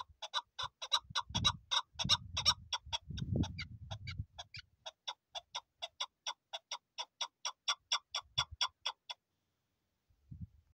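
A chukar gives a long run of sharp, clucking chuk notes, about three or four a second for nine seconds, over a few low thumps and bumps.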